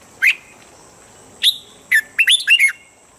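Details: Red-whiskered bulbul practising its standard morning voice: a lone upslurred whistle, a gap, then a clear note and a rapid rolling cluster of four warbled, liquid phrases ending in a trailing whistle.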